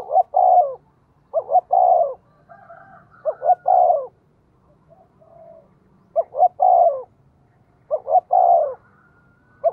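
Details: Fast-paced coos from a decoy spotted dove meant to attract wild birds: five repeated phrases, each a pair of short rising notes then a long, warm falling coo, with faint high thin tones and soft murmurs between.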